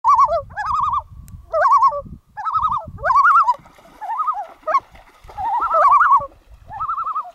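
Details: A loon on Jack's Lake at Veterans Memorial Park, Antigo, Wisconsin, gives wavering, quavering phrases that rise and fall, repeated in bursts every second or so, with low rumbling noise behind.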